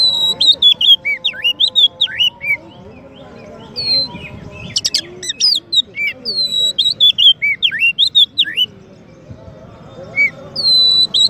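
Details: White-rumped shama, a champion songbird used as a master song for training another bird, sings long varied whistled phrases with sliding notes and a brief loud rattle mid-way, over a low hum.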